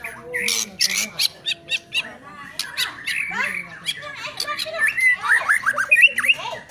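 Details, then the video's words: A White-rumped shama gives harsh squawks, then a run of quick, varied whistled phrases, with people talking nearby. "Lagu & Gaya Keren Murai Batu"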